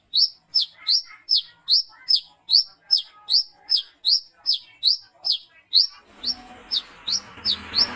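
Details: Brown-throated sunbird calling at night, a recording used as a lure for its kind: sharp, high, slightly falling chip notes repeated steadily about two and a half times per second, with broadband hiss rising over the final two seconds.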